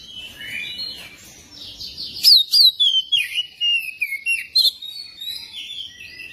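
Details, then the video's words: Singing magpie-robin, used to make a magpie-robin sing. Loud, sliding whistles repeat rapidly over a steady background hiss, with descending notes and a few sharp high chirps. "pancingan kacer biar cepat gacor dan ngobra"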